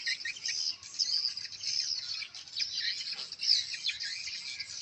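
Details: Swiftlets heard in a new swiftlet house during a test of their response to lure and chick-call sounds: unbroken shrill, buzzy twittering with brief louder chirp bursts.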